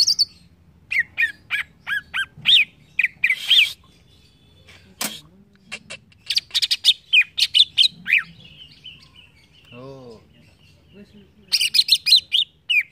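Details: Green leafbird song, played daily to encourage singing: long varied sequences of quick whistled and buzzy notes in rapid bursts, a lone low descending note midway.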